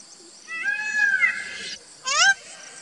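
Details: An Indian peafowl utters one long, strained, slightly rising wail, followed after a short pause by a brief, sharp, arched cry.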